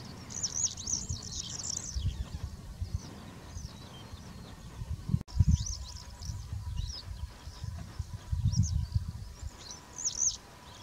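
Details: Black-headed wagtail (Motacilla flava feldegg) giving thin, high chirping notes in short bursts, over a steady low rumble of wind and a faint hum.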